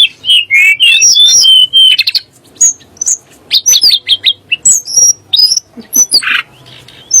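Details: Sunda blue robin song, said to rouse magpie-robins and shamas: quick slurred whistles and high thin notes interrupted by harsh buzzy bursts, delivered in uneven bursts over several seconds.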